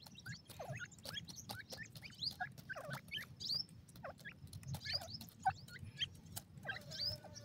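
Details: Several Black francolin chicks peeping continuously: thin, high, sliding chirps in an irregular stream, with frequent sharp clicks and a soft low background hum.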